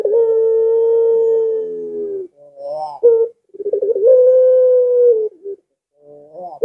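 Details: A collared dove of the puter pelung style, with a long arching coo said to make other doves impatient to sound. A long flat hum fades into warbling notes, then a stuttering run leads to a second, slightly higher held tone.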